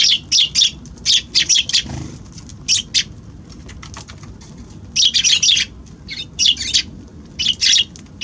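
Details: Eurasian tree sparrows coming to a balcony on 6 January: repeated bursts of bright, high chirping notes in clusters, with short pauses between groups and a busy, lively rhythm throughout.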